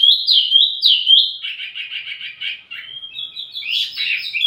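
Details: Wambi mini singing as a lure and master recording for tledekan: two clear downslurred whistles, then a fast trilling buzzy stretch, then brighter bursts of twittering high notes.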